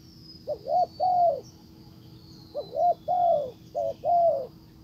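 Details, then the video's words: Spotted dove used as a decoy, calling to lure a wild dove that ignores it and leaves; two low, mellow cooing phrases, each a quick double note then a long falling coo, over a steady high insect-like whine. "Cuckoo Bird : Mồi rút bổi về, Bổi làm lơ đi luôn"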